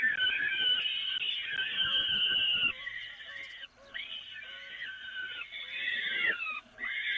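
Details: Peregrine falcons at the Evoluon, feeding from the nest grating on 13 May 2018: a loud drawn-out screech, then several softer, bending rasping calls with short breaks.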